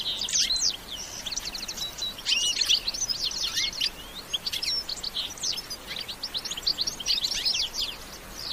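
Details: Lively bitbita song of a European goldfinch, with no sound effects: dense, continuous, high twittering and rapid chirped trills with hardly any pause, strong and bright throughout.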